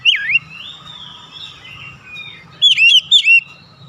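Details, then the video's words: Oriental magpie-robin giving a loud looping whistle, a long faint drawn-out note, then two sharp downslurred whistles close together. "KICAUAN KACER"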